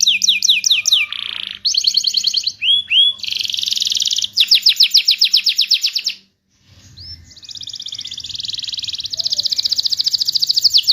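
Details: Varied canary song played to stimulate non-singing canaries, mixing quick descending whistles, buzzy rolls and fast trills, with a short silent gap midway before rapid rolling tours resume.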